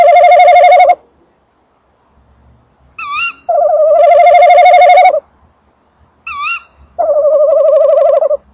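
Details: Loud quavering notes from a male tawny owl beside a nest box, three long trembling phrases, each of the later two introduced by a brief rising note, with faint low rumbling in the background.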